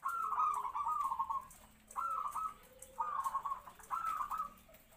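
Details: Medium-voiced local zebra dove kept in a small open cage as a decoy near other doves; four rapid rolling cooing phrases, each falling slightly at the end.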